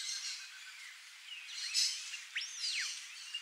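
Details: A frightened, wild, free-living female bare-faced curassow (Crax fasciolata) gives thin, high whistles, the clearest a sharply rising-then-falling arched note, over a steady background hiss.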